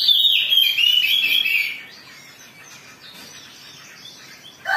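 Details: Oriental magpie-robin in agitated song, a lure to make other birds sing: nearly two seconds of loud, descending and warbling whistles, a long hush, then an abrupt lower note at the end.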